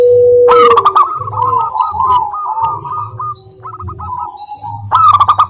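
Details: Lure song of local wild zebra doves for stirring others to sing: a long, slightly slowing sequence of short cooing notes after a loud opening burst, another burst at the end, and a low hum.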